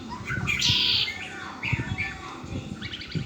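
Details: Red-winged blackbird kept as a pet, giving a loud buzzy, harsh trill lasting about half a second, followed by a few shorter high notes, over low background rumble.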